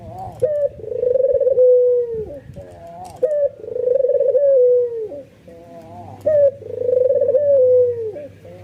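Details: Excited white albino ringneck dove, whose cooing draws in other doves: three long sustained coos, each preceded by a clipped rising note, and a soft low hum in the background.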